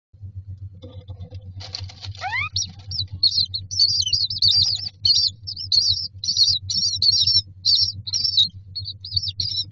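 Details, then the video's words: Common myna chicks in a nest box, standing in a row waiting for food; a busy stream of high, harsh chattering squeaks, some notes sliding upward, with a steady low hum underneath. "Myna chicks are standing in a row waiting for food"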